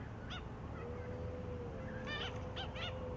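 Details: One of a pair of Australian pied oystercatchers (Haematopus longirostris) foraging in beached seagrass wrack in the shallows of Peel Inlet, south of Perth, Western Australia, gives sharp ringing piping notes, one then a quick cluster of three, over wind or surf rumble.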